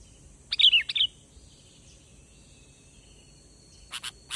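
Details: Lure call of a sooty-headed bulbul, played for trapping: a single brief warbled phrase of three or four fluty notes early on, then quiet, then a few sharp clicking bursts near the end.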